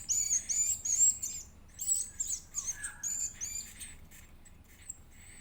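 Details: Edible-nest swiftlet chick begging while fed: fast bursts of high, shrill, wavering squeaks for about three seconds, then a lower rough note and fading, sparser faint peeps.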